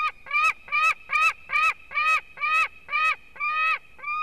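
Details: Eaglet's fourth day in a white-tailed eagle nest at Durbe, Latvia, 13 August: a run of nine clear, nasal, harmonic yelps, each slightly arched, repeated steadily more than twice a second.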